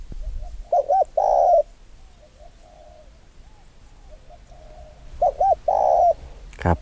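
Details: A Spotted Dove in an afternoon mango bush gives two low cooing phrases, each two short notes then a longer rolling coo, about four seconds apart, with faint wind behind.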